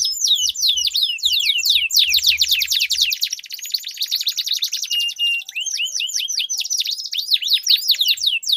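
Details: Two canaries duel in long rolling song, a prompt to make non-singing canaries sing: dense high sweeping notes run into a long rapid trill, then resume as swooping whistles. Low thuds are heard early on.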